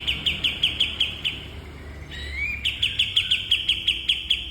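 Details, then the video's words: Bulbul kept for training cage birds: rapid series of sharp, high chirps about three per second, broken by a brief rising whistled sweep, then the chirp series resumes; low background hum. "Burung Masteran Kapas Tembak"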